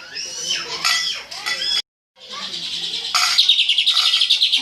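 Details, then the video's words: Greater green leafbird delivering tembakan song: mixed squeaky, swooping phrases, a brief silence, then a loud, fast, steady volley of high repeated notes to the end. "suara burung cucak ijo full TEMBAKAN"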